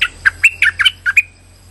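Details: Lure call of a streak-eared bulbul used in trapping: a rapid run of about seven bubbly chirps, some ending in short rising whistles, with a low steady hum beneath.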